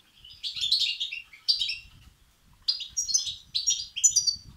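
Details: Begging calls of European goldfinch chicks, played to excite males: two dense runs of high, tinkling chatter, then a quieter gap followed by three sharper twittering bursts.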